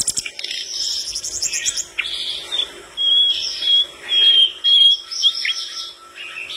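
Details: Lively flycatcher song that reportedly sets off other birds: scratchy high warbling at first, then clear level whistles around mid-pitch, alternating in bursts of about half a second with short pauses.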